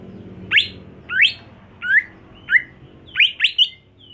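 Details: Greater green leafbird kept at home for singing competitions, delivering spaced upward-sweeping whistles roughly every half second to second, closing with a tight cluster of three bright notes; low hum in the background.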